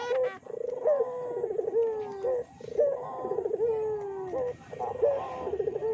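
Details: Barbary doves used as a lure to provoke other doves into calling: several overlapping rolling, purring coos, each starting with a short bright note and sliding slowly downward, repeated in steady bursts.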